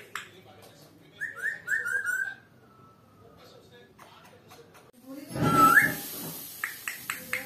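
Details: Talking African grey parrot, a pet, whistles a quick run of descending slurred notes that trail into a thin held tone. A noisy rustling burst follows, with a brief whistle and clicks at the end.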